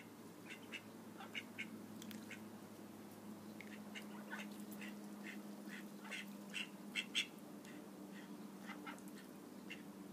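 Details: Soft, high-pitched peeps from call duck ducklings come scattered and fairly evenly spaced over ten seconds, with a couple of louder chirps midway and a steady low hum throughout.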